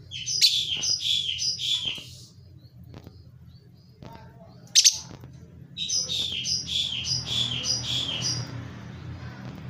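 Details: Unpaired lovebird giving quick series of sharp, high, squeaky chirps in two bursts of about five notes each, separated by a single loud note and a quieter pause, over a low background hum.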